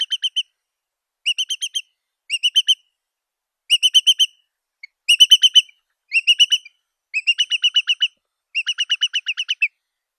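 A curlew gives quick bursts of three to eight clear, piping notes, repeated about every second, with a high bright tone and nothing else heard.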